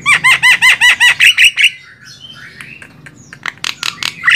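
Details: Javan myna (jalak kebo) master song for training songbirds: a fast run of about ten repeated harsh, arched chirps, then a quieter pause with faint notes and background hum, ending with sharp clicks and a squawk.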